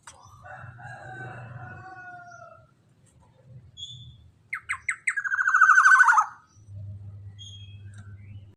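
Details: Black-naped oriole song used to lure other orioles: a loud fluty, slurred whistled phrase followed by a burst of harsh nasal notes, with soft whistles before and low humming in the background.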